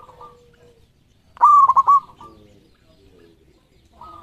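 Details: Zebra dove of a local strain, a prize-winning singer, gives one loud phrase: a bright rising coo followed by three or four quick throbbing beats. Faint background coos sit before and after.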